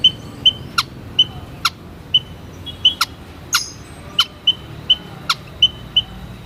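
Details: White-headed munia calling steadily: brief high thin peeps repeated at uneven intervals, roughly one every second, interspersed with crisp clicking sounds.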